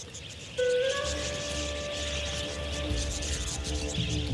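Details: Sustained electronic music tones over a soft hiss, with no animal calls.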